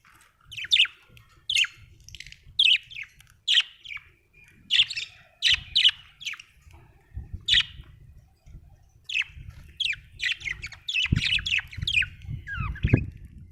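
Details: Budgerigar repeating clipped, squeaky chirps roughly every second over a steady low rumble, speeding into a dense twittering run near the end with a louder thumping noise.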